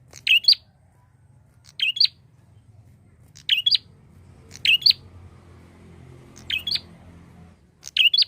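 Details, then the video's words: Lure call of a constantly singing prinia for other birds: six evenly spaced bursts of shrill, high chirps, roughly one every one and a half seconds, each a short two-part squeak, with a low rumble beneath. "pancingan prenjak gacor untuk burung ombyokan"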